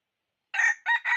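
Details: Red junglefowl decoy rooster crowing to lure wild fowl into a trap, 6/1/2021. Harsh, rasping crow syllables, three bursts in quick succession within about three-quarters of a second, on silence.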